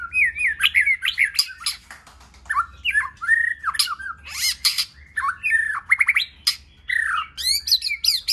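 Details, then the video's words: White-rumped shama singing in many voices during song training, a loud, rich medley of whistled warbles, rapid looping slurs, rattling bursts and high sharp notes, delivered almost without pause. "Kích Chòe lửa hót nhiều giọng"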